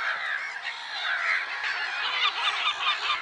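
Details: Many black-headed gulls calling together at Lake Sarymsak in Kazakhstan's Pavlodar Region, 10 April 2011; rasping, squealing cries pile up rapidly, several per second, forming an unbroken clamour.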